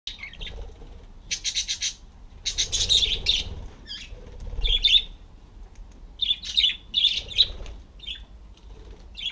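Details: Several parakeets perching on a homemade bicycle wheel that turns when they sit on it; short bright chirps and warbled twitters come in bursts, mixed with broadband rustling noise and wing flutters, with quiet gaps between.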